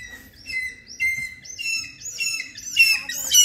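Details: Trained hawk-eagle calling during a training session: a series of high, thin whistled notes, each slightly rising, repeated roughly every half second and growing louder and more frantic toward the end; faint low hum beneath.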